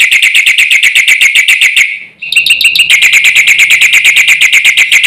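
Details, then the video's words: Loud, varied song of a Javan pied starling claimed to stir up other birds, made of fast, evenly repeated ringing whistled notes with high overtones, briefly broken by a short pause before resuming. "jalak putih gacor full isian ini sekali bunyi bikin emosi burung sekampung"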